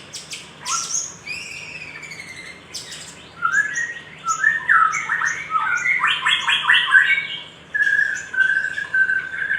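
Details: Little spiderhunter heard in a lure recording meant to stimulate other birds: dense run of harsh, buzzy chattering notes with some sliding whistles, delivered in quick irregular bursts, faint hum behind.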